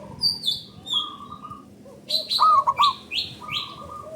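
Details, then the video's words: Local Indonesian zebra dove, a loud, long-voiced singer used as a lure to get other doves singing. Rolling, bouncing coos near the middle, surrounded by steady tones and many higher sliding chirps from other birds. "Pancingan Burung Perkutut Lokal Gacor Dor Bersaut Sautan $uara Keras Panjang"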